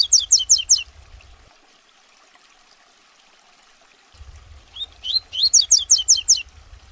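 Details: Captive-bred double-collared seedeater tutor song used to train juveniles and young males: two quick bursts of high, sweet slurred notes, each about six in a fast run, several seconds apart, over a low hum.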